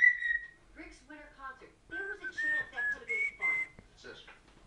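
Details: Pet female African grey parrot indoors, very noisy: a bright whistle opens, followed by a string of short, harmonic, speech-like chattering bursts and several sharp, level whistles in quick succession.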